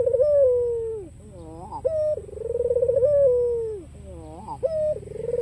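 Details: White ringneck dove with black collar, calling persistently to provoke rivals into answering: a short rising note followed by a long, rolling, vibrating coo that slowly falls, repeated about every two seconds. Low background hum.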